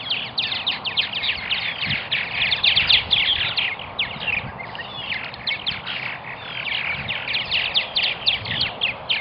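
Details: At a Purple martin colony in Melbourne, Florida, flock chatter rises and falls in waves: fast, overlapping, creaky chirps and liquid gurgles, briefly thinning in the middle before building again.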